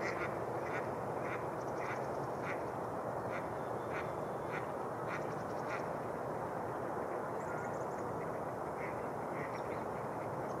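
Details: Mallard flocks gathering in spring where ice has melted near shore on Rush Lake, New Brighton, Minnesota; repeated short quacks roughly twice a second over a steady broad background hiss, with a few thin higher chirps near the end.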